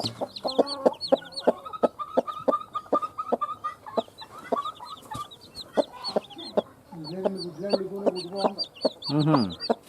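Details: Just-hatched chicks with a hen, calling after hatching: thin, high, downward-sliding peeps repeated quickly throughout, mixed with the hen's lower, harmonic clucks, and a fast clucking burst near the end.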